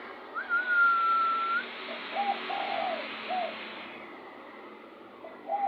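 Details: Lure recording of a spotted dove: a long level whistle opens, followed by a series of short muffled coos and a final coo at the very end, over constant hiss.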